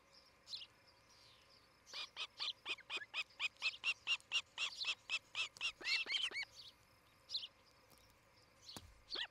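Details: Osprey pair at their nest near Charlo, Montana, on a morning nest camera in 2018; a rapid run of sharp, whistled chirps with downslurred tails, about two per second, after a brief opening note and quiet pause.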